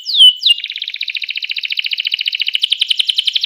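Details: Canary song used to get other canaries singing: a sharp falling whistle, then a long fast trill of rapidly repeated notes, roughly fifteen per second, steady and high-pitched, growing louder toward the end.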